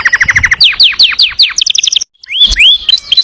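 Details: Canary in full song, the rolling and shooting style called ngerol nembak: fast chattering trills, then a run of steep downward-sweeping notes, bright high buzzy bursts, a brief silence and clear upslurred whistles.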